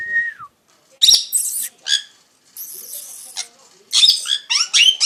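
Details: Parrot sounds: a short falling whistle, then scattered harsh, buzzy squawks and screechy chirps separated by silent gaps, ending in a quick run of high chirps.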